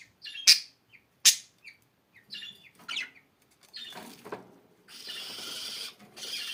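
Budgerigars chirping: two sharp loud chirps, then softer scratchy warbles and a rushing hiss of wing or cage noise toward the end.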